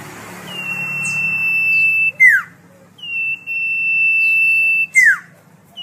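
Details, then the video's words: Common iora song, offered as a tutoring recording for caged songbirds: two long, steady, level whistles of about two seconds each, each ending in a quick, sharply falling slurred note, over a faint low hum. "Suara merdu burung cipoh/sirtu/sirfu"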